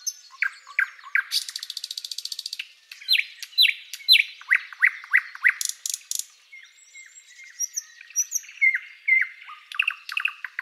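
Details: Thrush Nightingale singing loud, varied phrases: quick series of repeated downslurred whistled notes, a dry buzzing rattle, sharp clicking notes, then lower chirping and stuttering phrases, all in a clean recording with no other sounds.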